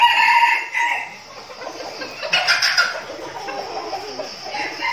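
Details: Flock of captive red junglefowl decoy birds in training before a forest outing, one loud harmonic crow opening at once, then a hissy, noisy stretch of rustling and softer fowl sounds.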